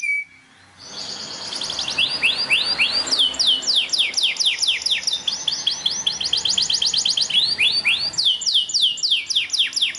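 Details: Belgian canary song used to stimulate caged canaries to sing: after a short silence, long runs of fast, sharply descending chirps repeated rhythmically, shifting speed and pitch in rolling high-pitched trills.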